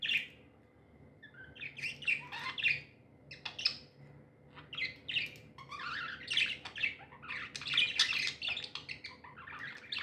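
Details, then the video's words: Happy pet budgies chirping in bursts of scratchy, buzzy warbles and short squawks, separated by brief pauses, over a faint steady hum. "Happy budgies chirping sounds"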